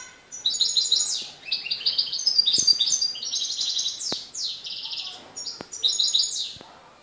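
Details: European goldfinch, Morocco, 4 December 2013: sustained, fast tinkling song of liquid trills and buzzy twitters, repeated in rolling phrases, broken by a few sharp clicks.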